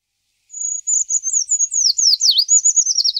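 A Eurasian treecreeper gives a very high, thin phrase: a sustained sibilant note, then quick wavering notes that speed up and tumble downward into a final flourish.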